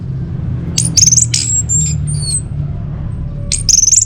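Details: Orange-headed thrush singing high, thin whistles and quick sharp chirps, with a short trilled flourish repeated near the end, offered as a lure and master song for caged birds; low hum underneath.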